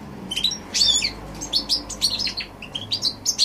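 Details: Goldfinch x canary hybrid in song, January 2016, giving a loud buzzy note early on followed by a steady series of crisp, high twittered chirps.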